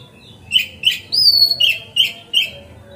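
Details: Oriental magpie-robin in full lure song, meant to make other magpie-robins fan their tails: a run of loud, sharp chirps repeated about every third of a second, broken by one long high whistled note.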